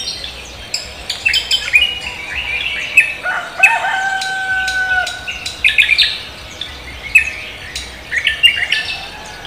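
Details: Cucak kombo singing vigorously in the morning: many bright high chirps and whistled phrases, with a long drawn-out crow-like note from a domestic fowl in the middle.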